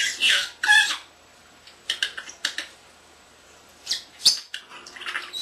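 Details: Captive young male common starling imitating sounds indoors: two loud harsh squawks at the start, then scattered sharp clicks and ticks separated by quiet pauses, ending with a sputtering rattle.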